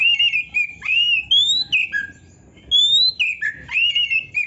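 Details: Oriental magpie-robin (kacer) song used for training songbirds to sing daily: sweet whistled phrases, some rising and some falling, in two bursts separated by a short quiet pause.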